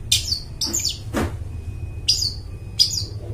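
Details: Long-tailed shrike in full song, meant as a lure for forest birds: sharp descending whistled notes spaced irregularly, one noisy rasp between them, over a faint low hum.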